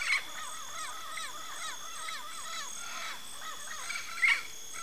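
Yellow-faced Parrot giving rapid, chattering notes that rise and fall, overlapping as if from several birds, over a steady high insect-like whine, with two sharp clicks.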